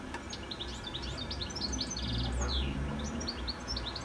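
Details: Goldfinch delivering an evening ballad on a telephone wire just before sunset: a continuous stream of rapid high twitters, trills and slurred notes, backed by low traffic-like rumble.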